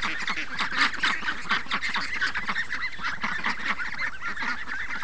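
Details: Free-range ducks called up in the morning by running water, a noisy mass of harsh overlapping quacks rising and falling in loudness.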